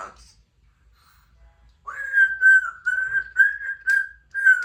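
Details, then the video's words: Pet female Congo African Grey parrot, three years old, practicing sounds at home. After a short note and a quiet stretch, she whistles a series of clear, level notes of similar pitch in rapid succession, with brief breaks, indoors. "African Grey Talking Parrot while she practices her words and sounds"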